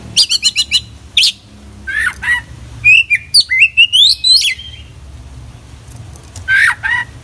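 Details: Oriental magpie-robin in busy song full of inserted phrases. It opens with a fast stuttering trill, then gives downslurred whistles and a dense burst of rising, scratchy chirps, ending with one more whistled pair.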